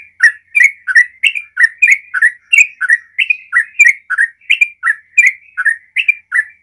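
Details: Sooty-headed bulbul in full 'gacor ropel' song, played to coax other bulbuls to sing: a long, steady run of short, fluty, chuckling whistled notes, rolling up and down at roughly two to three per second, continuous and clear.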